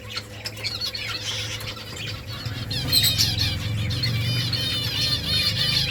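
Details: Flock of finches chirping while eating rice: busy, overlapping high chattering chirps that grow louder toward the end, with wing flutters and a steady low electrical hum.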